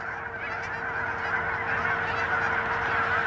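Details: Thousands of Canada geese on a pond in Hutchinson, Kansas, on 25 January 2011 form a dense chorus, many overlapping nasal honks running together into a continuous clamor with no single caller standing out.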